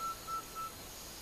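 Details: Central American pygmy-owl (Glaucidium griseiceps) gives three clear, evenly pitched whistled toots, about four per second, over soft hiss. Recorded June 2014 on the slopes of Tenorio Volcano, Costa Rica.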